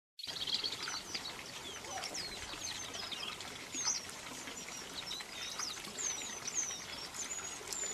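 A white-throated rock thrush sings a steady run of short, high whistles and slurred chirps, with a soft hiss of background noise throughout.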